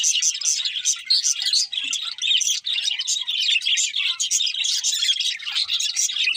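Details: Several happy budgies feeding and singing nonstop: a thick, even wall of high twittering, clicking and buzzy warbles with hardly a break.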